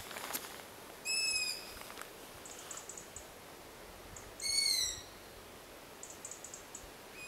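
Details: Long-eared owl chick begging for food: two loud, squeaky, rasping screeches roughly three seconds apart, with faint, short, distant squeaks from begging siblings elsewhere in the terrain.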